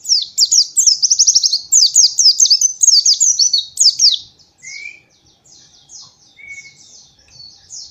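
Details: A white-eye, used as a training recording for young birds, gives a rapid, high, chattering twitter in dense bursts for four seconds, then softer twitters and a couple of thin whistled notes.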